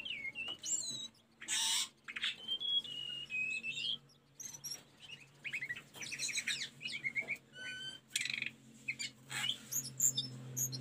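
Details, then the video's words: Tledekan gunung singing for caged-bird training: lively bursts of scratchy chatter, rapid trills and clear slurred whistles, alternating with brief pauses, over a low steady hum. "Mp3 burung telendekan masteran tledekan gunung"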